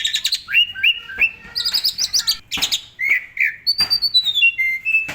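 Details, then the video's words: Asian pied starling song, energetic and full of varied phrases, intended as a master for cage songbirds: rapid chatter, repeated upslurred whistles, harsh bursts, then a falling sequence of clear whistles. "SUARA BURUNG JALAK SUREN GACOR FULL ISIAN AMPUH buat MASTERAN SEMUA BURUNG KICAU"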